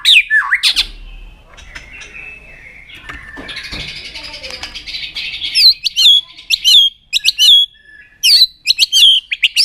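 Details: White-rumped shama with a few whistled slurs, then a quieter, buzzy warbling passage. Loud, sharp, rising whistled notes follow, delivered singly and in quick pairs.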